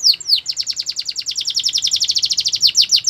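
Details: Canary singing a training song, opening with two bright descending sweeps, then a long even series of quick, slurred notes about seven per second, closing with slower ringing downslurs.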